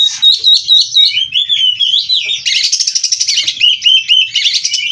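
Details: Oriental magpie-robin, locally kacer, singing loudly: a run of looping high whistles, then lower slurred phrases and a long stretch of rapid buzzy rattling mixed with whistles.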